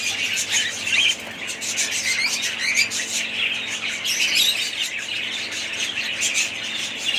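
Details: Budgerigar family in steady chorus, many overlapping high chirps and buzzy warbles blending into an unbroken chattering wash, with occasional brighter squeaky notes.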